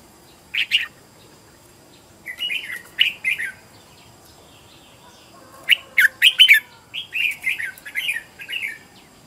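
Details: Red-whiskered bulbul kept as a decoy, singing fired-up fighting song used to lure wild birds and train other bulbuls: three bursts of short, bright warbled notes, the later bursts longer, chattering phrases of quick rising and falling whistles.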